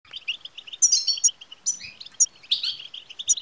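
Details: European goldfinch chatter, the 'betbta' used to stimulate a male goldfinch to sing: rapid liquid twittering with bright high ringing notes and short buzzy slurred phrases, dense and continuous throughout.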